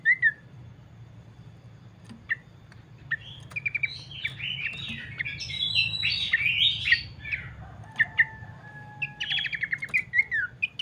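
Abbott's babbler song: clear whistled phrases mixed with busy chattering notes, played to prompt other birds to sing.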